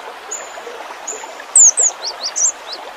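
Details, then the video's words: A cinereous tit (gelatik batu) sings a brief 'isian' phrase. Two loud, high slurred whistles lead into a few softer, lower chips, preceded by faint thin whistles, amid a rushing, water-like noise. "Suara gelatik batu full isian.."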